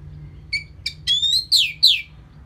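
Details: Orange-headed thrush song played as a lure to rouse the bird after moulting: a quick run of five or six sharp notes, the later ones as bright, slurred whistles falling in pitch.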